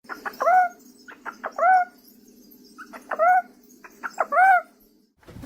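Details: Great horned owl that is mad at the person recording: three bursts of rapid clicks, each followed by hoarse, nasal, arched notes, spaced about every one and a half seconds over a faint steady hum.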